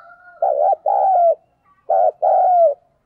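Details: Decoy spotted dove in 'đồng pha' voice, 'thúc' and calling coos: two repeated phrases, each a burred low note followed by a longer coo that slides downward, with a short gap between phrases.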